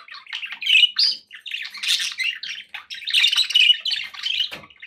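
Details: Pet budgies chatter busily, mixing whistled squeaks with raspy warbling phrases in an almost unbroken flow, plus a soft tap near the end.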